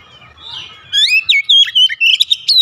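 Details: Oriental magpie-robin singing in the morning: after a soft faint start, a lively run of loud chirpy whistles begins, notes jumping and sliding in pitch roughly five times per second.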